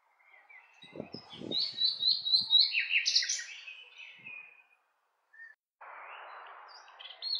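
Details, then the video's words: Nightingale phrases with a run of evenly repeated notes and buzzy trills over low knocking sounds, ending in a burst of hissing noise and a brief high note. "Cantec de privighetoare - Nightingale's song"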